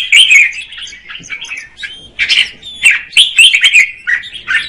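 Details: Singing female red-whiskered bulbul encouraging the male: warbled phrases, a quieter stretch, then several loud chirpy bursts close together.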